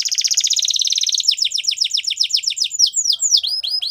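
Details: Belgian canary song opening with a rapid rolling trill of high notes, shifting into evenly spaced descending whistled slurs, then a few sharp sweeping notes.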